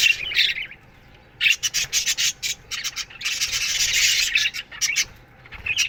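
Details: Morning chirping from an aviary colony of budgies: brief rasping squawks, then a run of separate sharp chirps, building into a loud overlapping chatter near the end.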